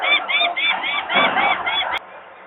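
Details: Screaming peregrine falcon parents disturbed by workers' noise near their nest in Włocławek, Poland, May 2022, young still on the landing; rapid harsh grating notes about four per second, stopping abruptly with a click.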